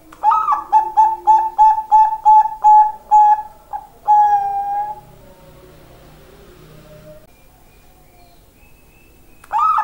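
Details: Zebra dove of the Bangkok perkutut type giving a rapid series of about nine mellow, repeated coo notes closing with a longer sustained note. A faint low murmur follows, then a new phrase begins at the very end.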